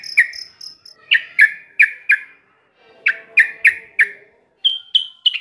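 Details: Yellow-vented bulbul song played as therapy to stimulate silent birds to sing: short bubbly chirped notes in loose clusters with pauses, ending in clear higher whistled notes.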